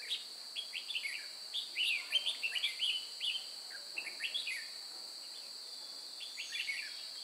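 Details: Red-whiskered bulbul used as a trapping lure at Chùa Hương, 9 May 2018, singing combatively: loud, rapid strings of sharp chirps and slurred whistles in clustered bursts, with a continuous high insect whine behind.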